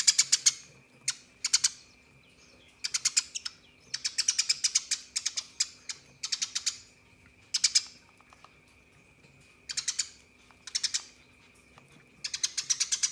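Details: Rolling fighting song of a Eurasian tree sparrow, used as a model for contest birds: repeated bursts of rapid, high, metallic chips, each burst about a second long, separated by short gaps, with a faint steady background tone.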